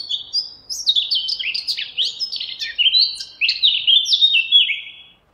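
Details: Eurasian blackcap singing a fast, varied warble of clear fluty notes and short slurred phrases, each sliding up and down in quick succession for about five seconds, then stopping; no other sounds.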